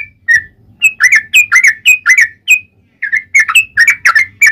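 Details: Gacor yellow-vented bulbul song of the ropel panjang kind: bright liquid whistles and upslurs in quick bursts, with one short break before another lively run of chirping notes.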